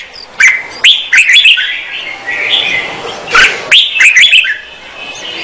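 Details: Female red-whiskered bulbul singing to stimulate a male: short bright whistled phrases with quick rising and falling notes, broken by sharp clicking knocks and brief pauses.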